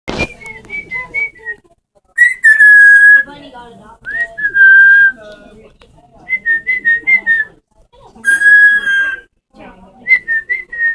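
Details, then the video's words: Parrot giving a series of clear whistled notes near one pitch, some warbling and wavering, others held steady, in bursts about every two seconds, with a sharp click at the start and quiet background murmur. "Parrots making crazy noises!"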